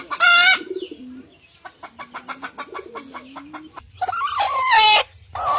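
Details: Roosters in the morning: a harsh, strained crow opens, then a run of rapid clucks with a low drawn-out murmur, and a second loud wavering crow near the end, with other chickens calling.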